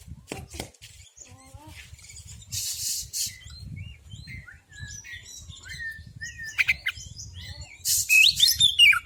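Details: Male white-breasted Oriental magpie-robin singing, used as a lure to get other magpie-robins to open their beaks and sing. Varied whistled notes and short slurred chirps, broken by harsh raspy bursts near the start and end, with a faint low rumble underneath.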